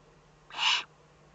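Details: Eurasian eagle-owl in the Eifel, Germany, recorded 3 May 2014: one short, breathy rasping hiss lasting about a third of a second against a quiet background.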